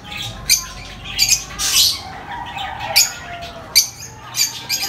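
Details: Lovebirds giving sharp, high-pitched squawking chirps at irregular intervals of about a second, with quieter chatter between.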